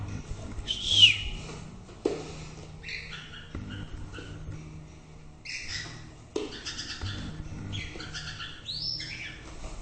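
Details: White-rumped shama song made of varied whistled and chattering phrases, some swooping, delivered in separate bursts with short pauses between them, over a quiet low hum.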